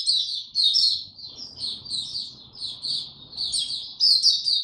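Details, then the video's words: Warm, very humid weather, 26 March 2022: a white-eye pours out a continuous high, warbling twitter of quick descending chirps, rising and falling in loudness, over soft low background rumble. "Mata Puteh Hercules buka sing warm n very humid weather"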